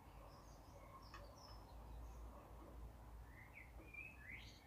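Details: Common starling song, faint against steady low rumble: scattered high chirps and short whistles, then a run of clearer rising and slurred whistled notes near the end.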